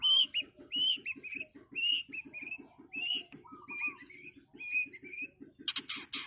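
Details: Fast-paced long-tailed shrike (cendet) song for tutoring songbirds: a rapid run of bright, slurred whistles with a lower whistled phrase midway and a harsh burst at the end, over steady low pulsing.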